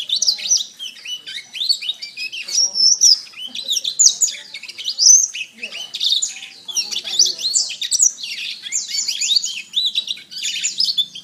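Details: A canary's extended master song for training other birds: a long, unbroken, high-pitched warble of rapid chirps, rolling trills and sweeping whistles that rises and falls in intensity throughout.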